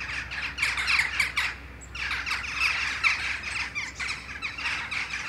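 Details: A flock of Western jackdaws returning in the morning from their roosting trees for a communal flight gives a dense chorus of short, sharp 'tchak' calls, several a second, over a faint low hum.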